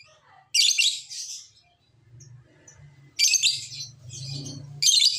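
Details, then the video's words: Lovebird lure call, played to prompt other lovebirds, even lazy ones, to sing and answer: three loud, harsh, shrill chattering bursts, each under a second, separated by quieter gaps with a low background hum. "Pancingan Lovebird agar BUNYI, Lakbet malas pun akan NYAUT"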